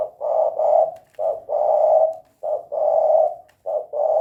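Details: Gacor spotted dove in the 'kuk 2' style repeating husky low coos in pairs, a short note followed by a longer drawn-out one. Four pairs come in quick, steady succession.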